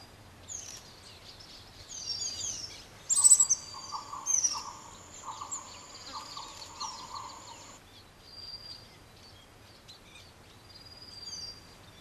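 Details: A male Tristram's bunting (Emberiza tristrami), a rare passage migrant in Taiwan, gives thin, high ticking and tsip notes at an uneven pace, filmed 14 Feb 2020; a steady high whine runs through the middle.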